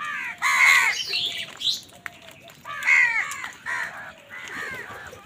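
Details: Several crows calling in the morning while fighting wild birds for food: harsh, hoarse caws with rich harmonics in two loud bursts, each of a few rapid notes, plus fainter overlapping calls from other birds.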